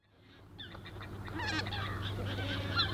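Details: A flock of Greater White-fronted Geese at NSG Ahsewiesen on 17 February 2019 at 14:50 gives high, yelping, laughing calls overlapping in a busy chorus, over a steady low rumble.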